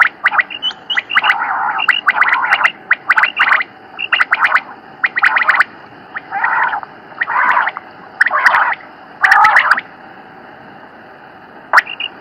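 Common quail giving short, liquid, rasping bursts, roughly one a second in loose groups, over a faint steady hiss.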